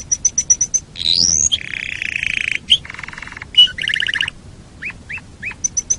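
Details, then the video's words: Canary singing for use as a training recording for songbirds: quick high ticking notes, a rising whistle, buzzy rattling trills, then short upslurred notes and fine high ticks. "Masteran Suara Kenari"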